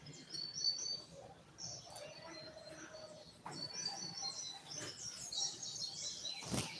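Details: Short tui tui song of a captive coleiro, or double-collared seedeater: a series of high, thin whistled notes in rapid strings, a few lower tones, and sharp clicks near the end.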